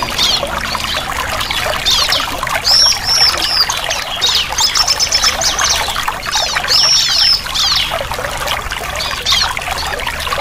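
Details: Bar-winged prinia singing to get a silent bird singing again; high thin whistled phrases and quick trills repeat over a steady bright hiss like pouring water.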